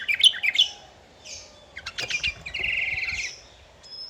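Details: Sooty-headed bulbul singing energetically, used to provoke rival birds into singing; bright chirps and short whistled notes, then a rapid buzzy trill held for about a second, ending with a thin high whistle.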